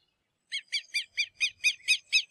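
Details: Southern Lapwing calling from farther off, a rapid string of nine harsh, nasal notes spaced about a quarter second apart, quieter and thinner than close calls, over faint low background noise.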